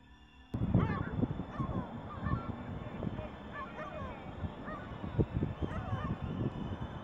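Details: Lesser black-backed gull, an adult with eye problems: after a sudden start, a series of short, nasal, bending calls, some rising and falling, over heavy low rumbling wind or handling noise.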